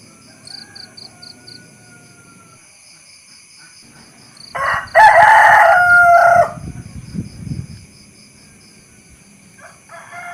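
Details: Domestic rooster giving a single loud crow of about two seconds, with a rough start and a sustained, slightly falling tail, set among quiet stretches with faint distant calls and low rustling noise.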